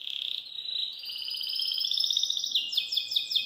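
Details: Belgian canary singing freely outside its cage indoors in a house: high, bright sustained trills that shift upward and speed into rapid repeated chirping notes near the end, with no other clear sounds.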